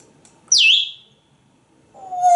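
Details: A pet African grey parrot indoors in an office gives a loud, high whistle that swoops down and levels off, then after a pause a lower, swelling tonal note.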